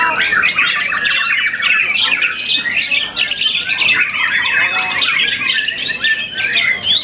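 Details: Young contest-champion white-rumped shama, moulted once, singing a crowded run of squeaky chips, trills and swooping whistles, dipping briefly near the three-second mark before resuming.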